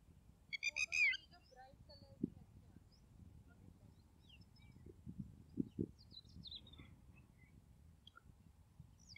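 A red-wattled lapwing gives a quick burst of loud, shrill, ringing notes near the start. Fainter chirps from other small birds and low background rumble follow.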